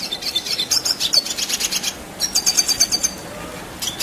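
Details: A red siskin in gacor rolling song, meant for training contest birds, gives bursts of rapid, high chattering trills and a sustained thin whistled note, pausing briefly near the end before resuming.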